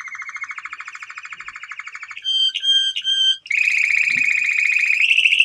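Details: Male canary singing: a fast rolling trill for two seconds, then slower pulsed two-tone notes, then a bright rapid trill that rises slightly in pitch at the end.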